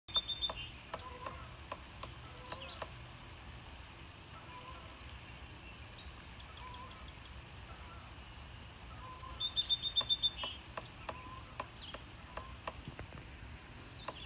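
A woodpecker pecks in irregular sharp wooden taps, several a second at times, with a short faster burst; high chirps from other small birds sound now and then.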